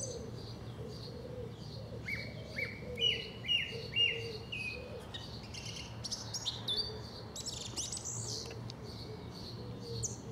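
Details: South England song thrush repeating a short whistled note several times at an even pace, then moving on to fuller, more varied high phrases, over a continuous low hum.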